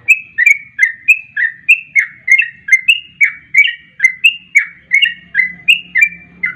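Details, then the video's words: Sooty-headed bulbul song used to lure bulbuls, in quick 'garuda ropel' style: evenly paced, cheerful slurred whistles, about three per second, each note bending down then up, with faint background hum. "Pancingan trucuk garuda ropel,pancingan trucuk cepat garuda"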